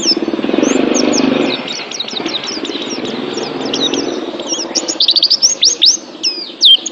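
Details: Oriental white-eye (pleci) song for pet-bird training: faint high twittering over a low rumbling background, ending with a few loud, sharply swept whistled notes.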